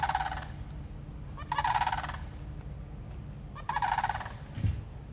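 Florida sandhill crane giving three loud, rolling, rattling calls, each about half a second, spaced a second or two apart over a low background rumble.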